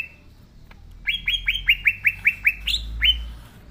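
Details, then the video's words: Green leafbird in lively full song, a fast series of about ten short whistled notes, each sweeping down then levelling, repeated roughly every quarter second, ending on a higher note. "Cucak Ijo Gacor Suara Asli"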